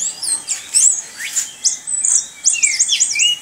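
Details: Kept Orange-headed thrush singing in the rolling 'ngerol' style: short high whistled phrases, sharp downslurred notes and a rapid run of wavy repeated whistles near the end, with brief pauses between bursts.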